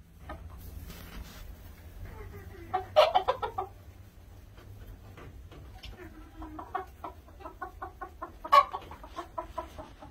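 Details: Red junglefowl clucking: a string of short, harmonic clucks at a steady pace, broken by two louder, harsher squawks, with a faint low hum underneath.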